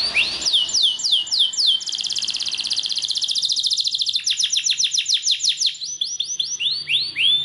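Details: Belgian canary training song for prompting canaries to sing: repeated arched whistles give way to a long, rapid, buzzing roll, then a cascade of steep falling notes and a few slurred, rising-falling whistles.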